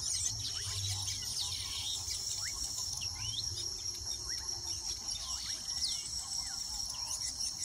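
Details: A colony of weaver birds busy with nest building in Uganda: quick sweeping chirps, upslurred notes and twittering from several birds, set against a persistent shrill insect chorus.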